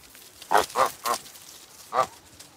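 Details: Domestic farm goose giving harsh, nasal honks, three in quick succession and then a single honk after a short pause, with nothing else clearly heard.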